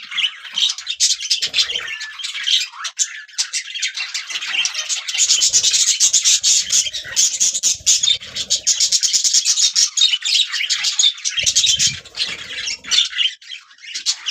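Budgerigars chatter in a continuous high warble of chirps, clicks and squawks.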